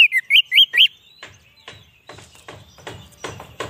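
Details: White-rumped shama song used to lure wild shamas: four quick looping whistled notes, followed by fainter scratchy clicks and rustling noises.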